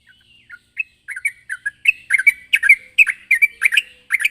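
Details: Sooty-headed bulbul, lively and chatty, calling a rival: short bubbly warbled notes around the middle-high range, starting sparse and then coming quickly in dense clusters of rolling, slurred phrases.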